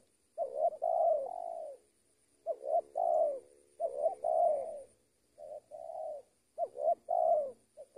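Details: Spotted dove used for luring gives a series of rolling, slightly quavering coos in clusters of two or three notes, separated by pauses of about a second; faint high whine behind.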